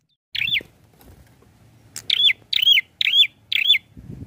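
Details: Prinia singing five brisk phrases roughly every half second, each a high note looping up then down in a buzzy flourish, over a soft low hum.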